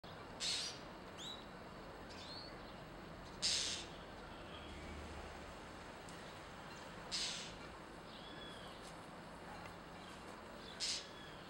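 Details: A White-banded mockingbird (Mimus triurus), a species known for imitating other birds' songs, gives loud, harsh bursts every three to four seconds, with softer short whistles between them, over a steady background hiss.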